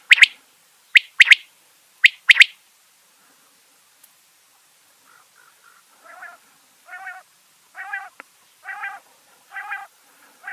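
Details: Mianwali quail calling: three sharp, high clipped double notes about one second apart, then a pause and a run of soft nasal mewing notes, repeated nearly once a second and growing slightly louder.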